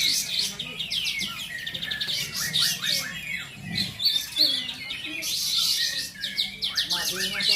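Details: At a kapas tembak bulbul singing contest in Bonjol, Pasaman Timur, many caged birds deliver quick, bright, overlapping whistled twitters in waves, with little other noise.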